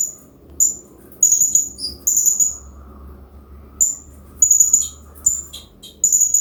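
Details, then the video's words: Serindit hanging parrot (Loriculus) master recording meant to encourage captive birds to sing, accompanied by water sound; piercing high tweets in clustered bursts with irregular gaps of up to two seconds, soft running water beneath. "MASTERAN BURUNG SERINDIT"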